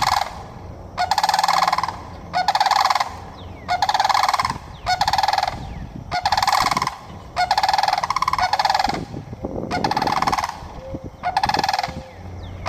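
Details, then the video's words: Calling sandhill cranes in Florida: repeated rolling, trilled bugles lasting about a second each, roughly one per second, with voices overlapping; low background rumble and faint short whistles near the end. "Sandhill cranes calling"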